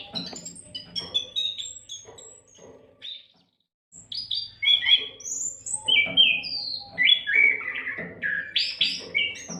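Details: Continuous kacer, Oriental magpie-robin, song used to teach other songbirds; a cascade of quick high chirps, a brief pause near the middle, then louder sweeping whistles and slurred phrases over a faint hum.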